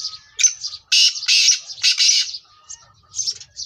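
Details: Black francolin (kala teetar) calling, the sound used by keepers to stimulate captive birds; loud harsh grating notes cluster mid-clip, set among quicker, fainter high chirps repeated about twice a second.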